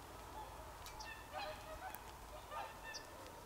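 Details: Whooper swans in winter, recorded on 24 December 2020: several short honking calls around 1.3 and 2.6 seconds, with nasal overtones, over steady low background noise and scattered clicks.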